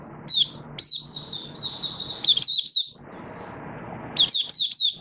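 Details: Oriental white-eye from Malaysia, kept as a song bird and being built into form, sings high rapid twitters that run into a sustained, wavering warble, pauses, then resumes with quick descending chirps; low background rumble.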